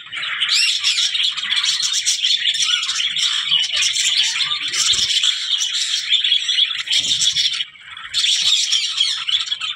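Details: Continuous budgerigar warbling and chirping, bright and scratchy, with a brief drop in volume near the end before the chatter resumes.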